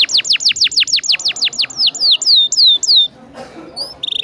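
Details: Canary singing a lure song for other canaries: a rapid string of falling whistled notes slowing into longer sweeps, a pause, then faint high notes.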